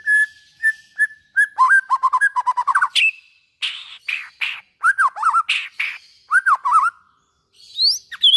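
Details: A white-rumped shama sings to stimulate other shamas: steady whistled notes, a fast run of short chips, then harsh buzzy notes mixed with looping, bending whistles and a final rising squeal.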